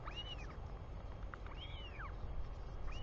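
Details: Royal albatross chick at its nest in New Zealand, on a live nest camera at 4:06 pm on 24 July 2020, greeting its returning father: arched, whistled squeals that rise and fall, three in three seconds, over heavy low wind rumble.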